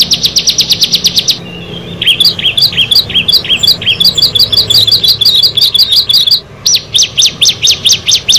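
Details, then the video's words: Singing from a group of six bar-winged prinias: rapid, sharp, downslurred notes, then a jumble of thin, rising and falling whistled chirps, ending with loud, spaced downslurred calls. "Tetangga Bisa Marah Kalau Ke 6 Burung Ciblek ini Sudah Bertemu"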